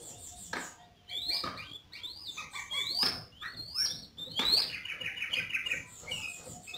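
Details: Yellow-vented bulbul in vigorous song: a busy run of sharp chirps and upswept notes, ending in a brief bubbling warble and a few scattered tweets.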